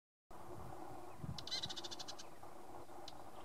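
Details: Male red-capped robin (Petroica goodenovii) giving a quick, high, dry trill of about ten ticking notes, then one more note, over a steady low rumble.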